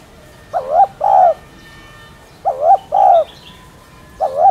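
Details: Spotted dove (cu gáy, cu đất), a cage bird, giving a lure coo: paired low hoarse coo phrases around two beats each, repeated twice with gaps, a soft high chirp in the background.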